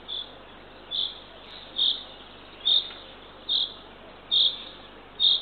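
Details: Owlet of a Eurasian eagle-owl pair, fed at the nest at 6:21 am on 3 June 2023 in Northern Estonia, gives loud harsh hissing notes, seven in quick, fairly even succession.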